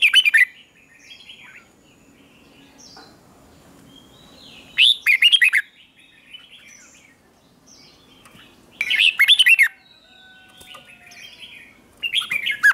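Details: Red-whiskered bulbul, a wild-caught bird in training, giving morning song meant to spur singing contests: short bright warbled phrases about every four seconds, each a burst of rapid rising and falling notes, with quieter chirps between.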